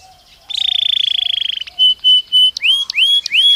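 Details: Belgian canary singing naturally, meant as daily training stimulus for cage birds: a rapid rattling trill, then clean level whistles and a run of upward-sweeping notes, loud and close.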